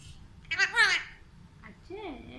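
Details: A talking Alexandrine parakeet speaks Urdu/Hindi in two short bursts, possibly saying "Assalamualaikum": a quick, bright, wavering phrase, then a lower, warbling word, against a quiet indoor background.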